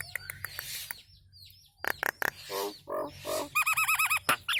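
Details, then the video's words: Nias hill myna song recorded as training material for cage birds: varied sequence of sharp clicks, hoarse bursts, nasal harmonic notes and a fast repeated wavering whistle near the end, with a low hum underneath. "Masteran Burung Jalak Nias istimewa"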